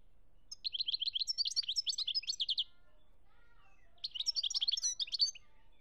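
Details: European goldfinch, Algeria 2017, singing two long phrases. Each opens with a quick series of repeated chirpy notes and runs into jumbled high twittering, with a pause of over a second between the phrases.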